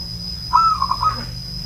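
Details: ['An old zebra dove (perkutut) cooing: one short phrase of low, clear notes, with a drawn-out opening tone followed by three or four quick, throbbing beats. A faint steady hum runs underneath.']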